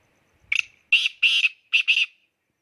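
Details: Black francolin calling excitedly: a single harsh rasping note, then two close pairs of grating, buzzy bursts, all within about two seconds, against a quiet background.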